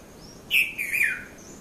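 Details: Red-vented bulbul at dawn in Mount Lavinia, Sri Lanka, between 5:30 and 5:40 a.m.: one clear chirp, a brief gap, then a wavering phrase sliding downward; a faint distant bird note at the end.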